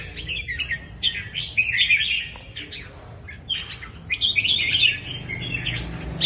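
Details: Red-whiskered bulbul (chào mào) giving short, bright warbled phrases in two bursts, with a quieter gap of scratchy notes between them and a faint low background hum.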